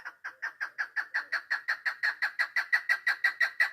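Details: Female chukar partridge kept as a hunting decoy, recorded 3 May 2025, giving a steady run of rapid, husky chuck notes, about three per second, slightly rising in strength throughout.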